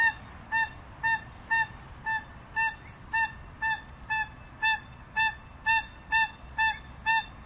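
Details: Crested guan song of evenly repeated nasal honks, about two each second, some slightly softer than others, with faint twittering birds in the background.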